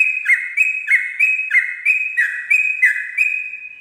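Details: Yellow-vented bulbul singing at dawn in the rapid rolling ropel style: a fast series of bright, slurred whistled notes, about three per second, repeated steadily on a level pitch in a clean recording.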